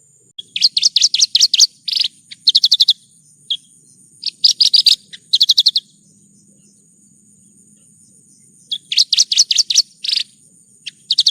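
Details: Horsfield's bush lark (branjangan) in masteran song for tutoring: clustered high, rapid chip-note phrases repeated in bursts with quiet gaps between, a faint low hum underneath.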